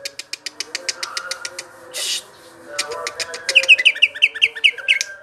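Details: Greater green leafbird (cucak ijo), popular among Indonesian songbird keepers, singing: a regular series of sharp ticking clicks, a brief noisy hiss, then rapid repeated bright whistled notes over a faint background hum.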